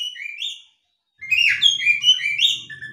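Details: Female Oriental magpie-robin ngobra call used to trigger males: a short slurred whistle, a half-second gap, then a burst of overlapping buzzy, wavering whistled notes over a faint low hum.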